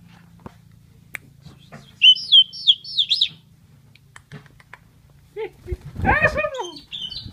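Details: An Asian pied starling, noted for copying human voices, gives a brief burst of high sliding whistled notes, then after a quiet spell a lower, harmonic, voice-like warble over a steady low background hum.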